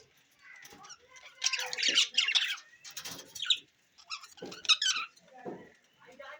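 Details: New budgerigars, recorded June 11, 2024, giving bursts of harsh, scratchy chirps and squawks in irregular clusters, with short gaps and faint low knocks between them.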